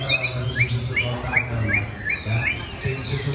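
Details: Greater green leafbird at a songbird practice competition in Klaten, Indonesia: short bright upswept chirps repeated several times a second in a loose series, over music and a low steady hum.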